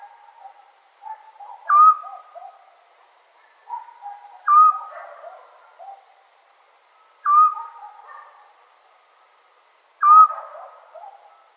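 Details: Scops owl heard at night in Serbia during summer, giving four single whistled hoots at regular intervals of about two and a half to three seconds, over faint lower warbling background sounds.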